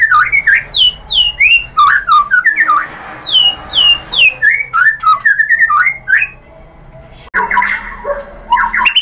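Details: Lure song of a white-rumped shama (murai batu) to provoke other birds: rich whistled phrases of looping upslurs and downslurs repeated in quick series, a short pause, then a fresh burst of varied whistles.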